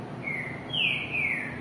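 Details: A captive Green-winged Saltator (trinca-ferro) that sings indoors but only calls outdoors, seemingly nervous away from its familiar place, gives two thin, high whistled calls, a short level note then a longer downward slide, over faint hiss.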